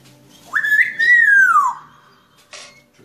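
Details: Grey parrot giving one clear whistle that jumps up, holds steady, then slides smoothly downward over about a second, followed by a short harsh burst; otherwise quiet.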